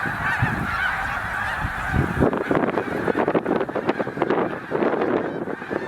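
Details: Snow geese massed at Middle Creek Wildlife Refuge during spring migration, some 100,000 birds: overlapping honking throughout, swelling after the first two seconds into sharper, louder bursts as birds stir or lift off.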